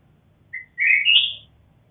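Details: Red-whiskered bulbul of a bred black-crested cross line: one short whistled note, then a bright, rising warbled phrase that climbs and fades within a second.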